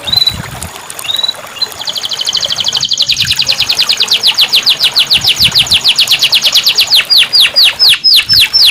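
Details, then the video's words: Canary song meant to stimulate a canary that stopped singing: a few short whistled notes open into a long, rapid, ringing trill that gradually slows into separate sweeping downslurred whistles. "terapi kenari macet bunyi"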